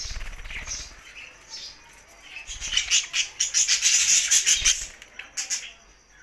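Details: Budgies singing happily, a quiet first half giving way to a loud burst of rapid, high, scratchy warbling and chirps from about three seconds, then fading with low thumps.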